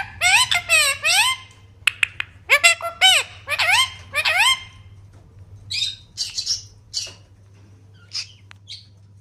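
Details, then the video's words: Pet baby parrot uttering bursts of harsh, harmonic squawks and chirps in quick runs for about five seconds, then softer, scattered noisy chirps after a pause. "Baby Parrot"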